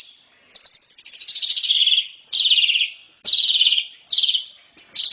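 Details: Asian pied starling loud chattering song on a training recording: one long grating trill that falls in pitch, followed by three shorter buzzy bursts with short pauses.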